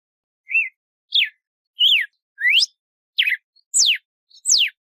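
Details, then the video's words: Albino mutation red-cowled cardinal singing a slow series of clear, separate whistled notes, some short and arched, others long rising or falling slurs, about one every half second. "Galo de campina albino, mutação!"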